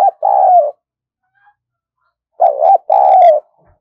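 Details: Decoy spotted dove, kept to lure wild doves, ending one coo and then giving a full two-part coo after a pause of over a second. Each phrase pairs a wavering note with a longer, even note. No background noise.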